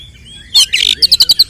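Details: Fighting song of an oriental magpie-robin, 'tarung konslet' style, meant to provoke rival males: a harsh scratchy burst, then a fast run of about seven clipped high whistled notes, evenly spaced.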